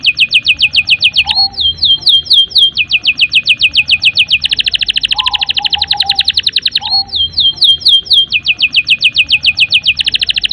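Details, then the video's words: Canary in long, unbroken song used to stimulate young canaries and birds that stopped singing: fast pulsing high trills repeated many times a second, broken by brief looping notes and low warbled phrases. "suara burung kenari gacor panjang | Pancingan kenari paud dan macet bunyi"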